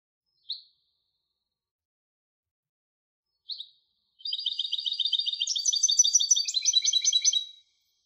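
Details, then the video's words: Two brief, isolated chirps from a European goldfinch hybrid, then a three-second stream of rapid, jingling high notes that climbs slightly in pitch. No other sound is present. "تغريد هجين الحسون Canto De Mixto del Jilguero"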